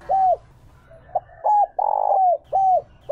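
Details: Spotted dove decoy in 'Chiêu Ba Hậu' style for luring wild doves. Spaced arched coos with a faint soft note and a short clipped one between them, then a long broad slurred coo and a closing arched coo.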